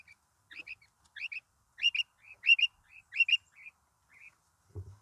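A male Coturnix quail gives bright, high chirps in quick doublets, repeated roughly every half second. A dull thump is heard at the end.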